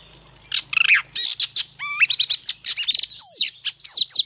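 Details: Wild-caught female Oriental magpie-robin singing to stimulate males: a dense, varied run of clear whistles, slurred rising and falling notes, and quick chattering phrases, delivered almost without pause after a quiet half-second start.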